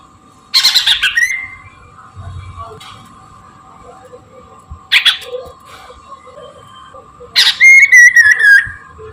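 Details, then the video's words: Chinese hwamei in the morning, recorded as a lure: sharp, noisy bursts, then a brief run of clear wavering whistles near the end, with a steady hum underneath. "kicau gacorr poksay Mandarin dipagi ampuh untuk pancingan dan pikat"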